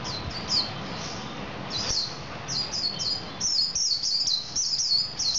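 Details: Male Javan white-eye singing: high, thin chirping phrases, each a quick downslurred twitter, given in bursts, denser and near-continuous in the second half, over a soft low background hum.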